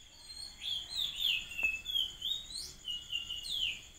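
Magpie calls: thin, squeaky notes, some sliding up or down, given in quick, uneven succession about three times a second, over faint background hiss.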